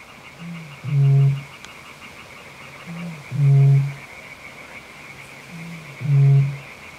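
Eurasian bittern booming: three deep, foghorn-like booms about every two and a half seconds, each led by a soft intake note, over a steady high insect drone.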